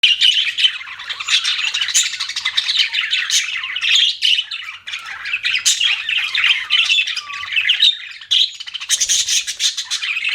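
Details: Pet budgerigars chirping: a dense, nonstop warbling chatter of buzzy, high chirps and squawks with brief rising whistles, overlapping without pause for the whole stretch.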